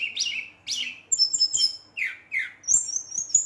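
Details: Brown-chested jungle flycatcher singing fiercely at night to provoke rivals: swooping, slurred whistles alternating with high sustained notes, in rapid irregular phrases.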